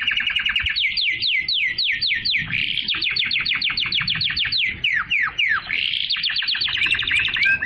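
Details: Canary singing to stimulate females to mate and to tutor young birds: a loud, fast run of repeated downward-sweeping whistled notes, several per second, shifting into rapid trills and ending with rising chirps, in a quiet room.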